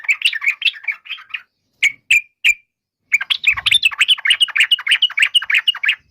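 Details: Yellow-vented bulbul singing in fast bursts of bright chattering notes, a run of quick notes, three short separate chips, then a longer rapid bubbly chatter to the end.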